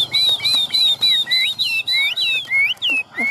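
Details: Chinese hwamei in a cage in Vietnam repeats paired whistled notes, a high note sliding down into a lower one, roughly three times per second with steady rhythm.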